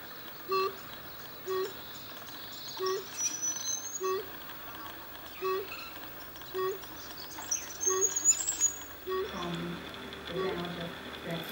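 A brush bronzewing gives a low, hollow 'oom' about every second, eight notes in all. Thin high whistles from other birds and a brief rustle near the end.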